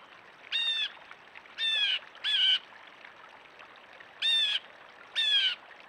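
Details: Backyard blue jay squawking: five rough, buzzy jeers, two of them in a quick doubled pair, the rest spaced out with short pauses, against constant soft hiss.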